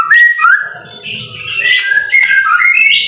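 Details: White-rumped shama song in the rain, sweet slurred whistles followed by higher fluty warbles, soft low rumble in the background.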